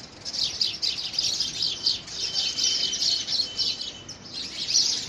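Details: House sparrows contest a handmade nest box in February 2017. Quick, bright chirps pulse in dense clusters, with brief lulls between bursts of chatter.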